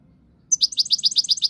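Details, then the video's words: European goldfinch of Moroccan stock giving a brief burst of sharp, high chirps repeated quickly, about eight per second, in an even, rattling series over a low background hum. "صوت الحسون المغربي"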